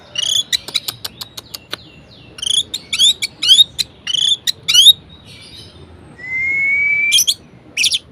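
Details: Song of an orange-headed thrush in varied style, intended to rouse reluctant thrushes: quick ticking clicks, then repeated rising, slurred phrases in a rhythmic series, and a long, steady, slightly rising whistle near the end.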